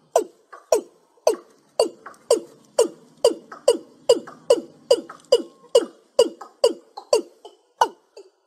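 Watercock giving hollow, knocking notes that drop sharply in pitch, roughly two to three a second in an uneven doubled rhythm, with nothing else audible.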